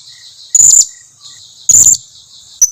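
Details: A lure call of the Blue-crowned hanging parrot, used to draw answers from other birds of its kind: two shrill, slightly buzzy high notes about a second apart, then a short clipped squeak, over a steady thin whine.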